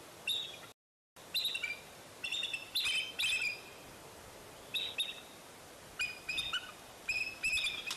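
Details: A bald eagle at Fraser Point on 10 April 2019, the day eaglets fell out of the nest and returned, gives thin, high chittering calls in short stuttered bursts, roughly one every second, with brief pauses between.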